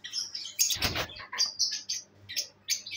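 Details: Pet albino red-eyed lovebirds chatter indoors with sharp, high-pitched tweets and squeaky chirps in rapid runs, broken by a brief noisy rustle of wings.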